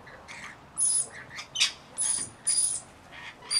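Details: Rainbow lorikeets (Trichoglossus moluccanus), a flock of about 40 looking after a single baby, give harsh, shrill screeches and squawks in short bursts about every half second, high and raspy with some sharp whistled notes.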